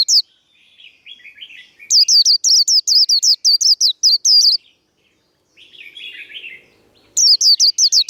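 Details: Japanese white-eye fighting song (líu đấu), used to fire up caged birds: soft, low warbling, then a fast burst of about a dozen shrill, high up-sweeping notes, more quiet warbling, a brief silence, and another sharp burst.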